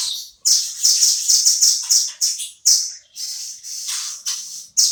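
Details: Velvet-fronted nuthatch, a caged bird kept as a tutor song for shamas: rapid bright high chirps in dense bursts, loud sharp notes repeated about twice a second with short pauses between runs.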